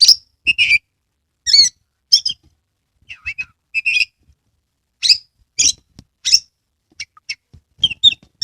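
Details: Caged Oriental magpie-robin in Kebumen, Central Java, singing with spread tail; scattered loud chirps, harsh rasping notes and short whistles separated by brief pauses, with faint low knocks in the background.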